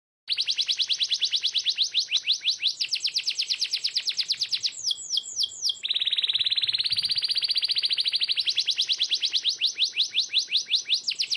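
A canary sings fast, rapid-fire trills of high chirps, shifting into a smoother rolling tour and back to quick repeated notes.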